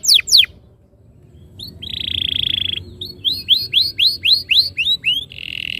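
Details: Canary tutor recording meant to spur caged canaries into rolling song: two quick sweeps, a pause, a sustained buzzy tone, then a series of rising-and-falling whistles roughly four per second, closing on another buzz.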